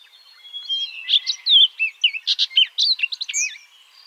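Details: Baltimore oriole singing from treetops in eastern North America, a lively run of clear whistled and slurred notes, rising and falling, closely spaced with short chattery phrases.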